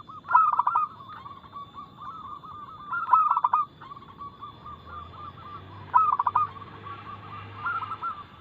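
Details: Local zebra dove singing with fast notes and a loud, clear voice, meant to provoke caged doves into song. Three rapid, pulsing coo phrases come roughly three seconds apart, with more doves cooing softly in between.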